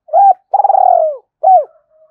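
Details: Spotted dove giving a 'gáy gọi hai hậu' call used as a lure: an arched coo, a long tremulous purring coo gliding downward, and a final soft arched coo that fades into a faint hum.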